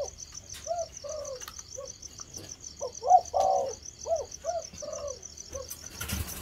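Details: Spotted dove, a 'thổ' bird starting to coo, repeats short hollow mid-pitched coo notes about every half second to a second, some doubled, against a constant high pulsing insect drone and light rustling.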